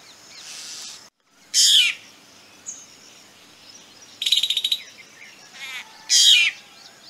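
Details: A black drongo gives harsh, high rasping bursts, one a rapid stuttering rattle, spaced a couple of seconds apart with a brief thin whistle between; a male Asian koel may call in the background.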